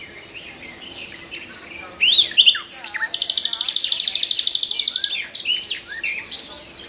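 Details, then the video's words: Morning song of a nightingale perched in a tree, opening with scattered whistles and rising notes, then a loud rapid metallic trill repeated evenly for about two seconds before varied phrases return. "Nightingale morning song"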